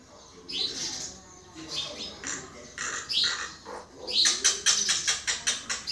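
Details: Common myna giving a varied, chattering run of harsh buzzy notes and high squeaks, ending in a fast series of sharp clicking chips repeated about twice per second.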